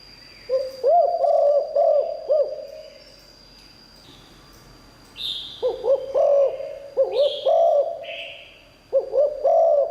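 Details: Spotted dove praised for its liu tan style song, used to draw in wild birds: three clusters of low, bouncing coos split by pauses, with short breathy hisses and a steady high electronic tone.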